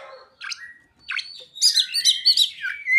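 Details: Oriental magpie-robin, a caged bird, singing with mimicked ciblek and sogon phrases: varied whistled and chattering notes, a few sweeping slurs at first, then a rapid run of bright repeated trills and squeaky phrases rising to a loud finish.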